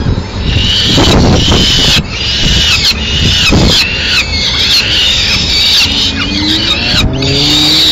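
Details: Madrid peregrine falcon on 30 April 2016, the female arriving with a pigeon scrap; raspy, rising and falling cries in uneven bursts, with low humming city sounds beneath.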